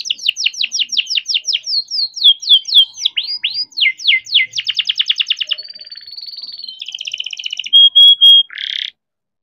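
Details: Captive-bred young canary singing a long rolling song meant to set other canaries singing. Quick falling swept notes repeated several per second, tight pulsed rolls, a smooth level whistle and short buzzy trills, closing with a harsh burst.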